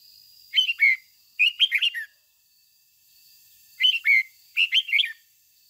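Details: Red-whiskered bulbul used as a decoy, singing 'ché' song: four lively whistled phrases falling into two pairs, each a quick run of looping, slurred notes, with a faint constant high hum in the background.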